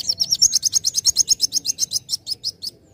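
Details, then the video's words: Young sunbird song meant to provoke other birds to sing: a steady, fast series of about twenty high, sharp chirps, slowing slightly and fading toward the end. "Pancing Bunyi Kowul Muda Gacor"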